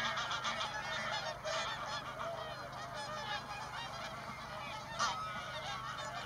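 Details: Large flock of swans gathered on fields by lake Tysslingen in Örebro, Sweden, in spring after their long journey; constant chorus of distant honking calls, steady throughout, one nearer louder call around five seconds.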